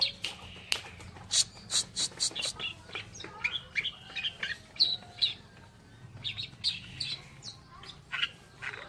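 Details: Oriental reed warbler pouring out rapid harsh, croaky notes, roughly two per second, rising and falling in loudness, with faint whistles of other birds underneath.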